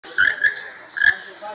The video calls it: Keel-billed toucan